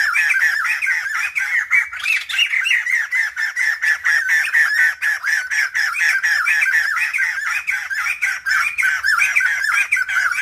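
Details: A female black-throated laughingthrush in breeding condition, used to stimulate males into singing, gives a continuous harsh, squawking chatter of quick, rasping notes that rise and fall several times a second, with no other sounds.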